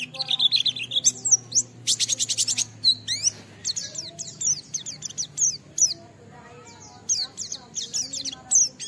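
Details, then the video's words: Oriental white-eye singing in ngalas style as a lure for other white-eyes: varied high twittering, a fast buzzy trill and sharp slurred whistles in busy phrases, with a faint low hum throughout. "Burung Pleci Gacor suara Jernih memancing Semua Pleci langsung ngalas"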